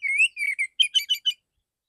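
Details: Male kacer (Oriental magpie-robin) delivering a clear, loud "tembakan" shooting song for therapy: drawn-out high whistled notes, some rising, then a run of rapid, sharp, buzzy chips, all within under two seconds.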